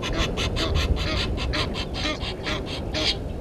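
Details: Egyptian geese in a dispute with intruder geese at Gowrie dam waterhole, Djuma Game Reserve, Sabi Sand Wildtuin, South Africa, 17:08 on 10/04/21: rapid, harsh honks repeated about twice a second over a low rumbling background.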